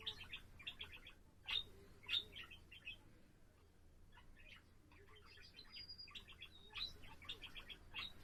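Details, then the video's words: Indoor pet budgerigar singing on 7 April: clusters of quick, scratchy chirps with several sharp, louder notes, a short level whistle in the middle, and renewed rapid chatter toward the end. "セキセイインコ そらちゃんのさえずり"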